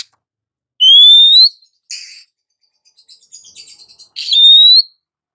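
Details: Oriental magpie-robin, a female calling the male. Two long, pure upslurred whistles framing short scratchy notes and a run of soft, fast chattering.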